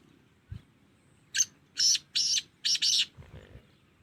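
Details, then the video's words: Young black francolin, about two and a half months old, calling among adults: a soft knock, then four harsh, raspy bursts, the last two almost joined, and a faint low rumble afterward. "Black Franclion Baby Calling Age 2.5 months Bary Teetaron k Sath Bolta howa"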